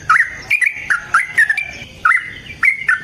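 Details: Sooty-headed bulbul giving a long fighting song meant to lure and train other bulbuls. Short liquid notes, each dipping low and then flicking up, are repeated in quick, uneven clusters.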